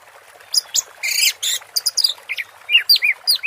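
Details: An orange-headed thrush sings 'teler' style: a few harsh scratchy bursts at first, then a series of separate sharp whistles and curved slurred notes.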